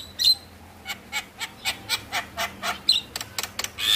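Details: Javan myna song for stimulating reluctant mynas to sing: a steady series of short harsh chack notes about every quarter second, with a few thin whistles.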